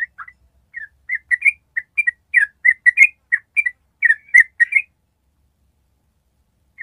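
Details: Yellow-vented bulbul singing a ropel trill used to coax other birds into answering: lively slurred whistles, some rising, delivered about three per second for five seconds, then a pause and one more note.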